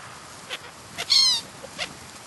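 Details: A black-headed gull in the New Forest, Hampshire, England, recorded in July 2009, gives a single short, harsh, rasping call between faint soft clicks.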